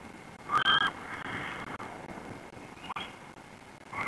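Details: Tawny owl, a male, reacting firmly to the calls of an approaching female near a black stork nest, Lodz region, Poland, 3 May 2021: a sharp harsh call near the start, then two shorter fainter calls, over a steady high whine.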